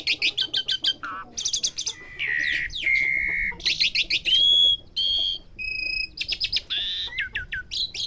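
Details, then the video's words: Asian pied starling training to learn sounds: repeated fast buzzy bursts, warbled whistles, steady high tones and sharp chips, running nearly continuously with shifting patterns. "Melatih jalak suren belajar bunyi"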